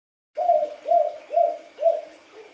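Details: Spotted dove of wild colouring giving four low, hoarse coos about half a second apart, each a short warbling note, with a fainter fifth at the end; faint steady hum in the background.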